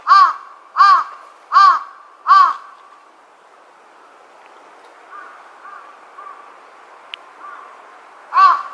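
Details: A Large-billed crow, recorded on 21 April 2022, gives four harsh, nasal caws about 0.75 seconds apart, then pauses amid faint distant calls before a final caw.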